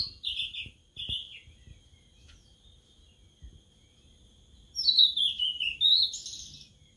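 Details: Sulingan laut (tledekan laut), a newly kept caged bird starting to sing after only three days of care: thin, high chirped phrases, a short burst at the start, then a longer run of sweet downward-sliding and rising notes, with faint low background rumble.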